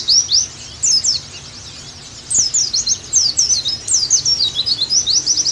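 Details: High, energetic twittering of an Oriental white-eye, played so kept pleci sing actively again: bursts of steep downslurred chirps with short silent gaps, building to a busy warble near the end.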